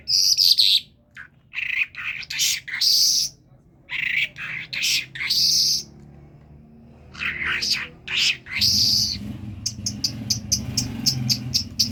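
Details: Common myna, a talking bird from Kerman, delivering a long varied run of high whistles and harsh grating notes, ending in a rapid series of short clicking notes over a low rumble.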